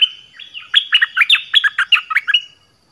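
Orange-headed thrush giving a rich, varied phrase of about a dozen quick, slurred whistled notes over two seconds, clear and otherwise quiet.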